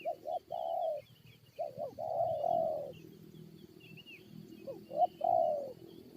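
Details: Coo phrases of spotted doves in a luring contest with wild birds: two quick short notes leading into a longer hollow croo, repeated after a gap, while distant small birds twitter faintly.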